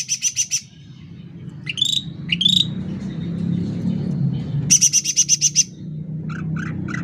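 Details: Sooty-headed bulbul in lively loud song: a short burst of rapid high notes, two upward-hooked liquid whistles, then a quick series of about eight sharp repeated notes, with a steady low rumble beneath.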